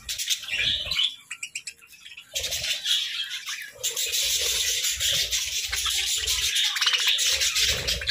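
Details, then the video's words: Feeding budgies on grass and moringa in winter: scattered sharp chirps at first, then after a short gap a sustained, rapid, high chattering warble over quiet rhythmic crunching. "Budgie Serenade Amidst Moringa Munchies!"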